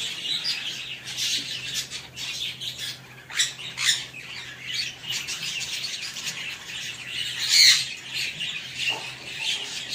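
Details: African grey parrot giving harsh, broadband squawks in bursts a second or two apart, the loudest near the end, over continuous high-pitched chirping chatter and a steady low hum.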